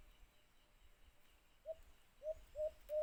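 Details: After a quiet pause, a white-eared brown dove (alimokun), recorded in a cage-trap hunt, gives four low, clipped hoots, each louder than the last.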